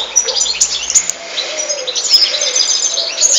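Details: Continuous European goldfinch song: a lively, dense jumble of high chirps, trills and brief buzzes, loud throughout with only tiny pauses.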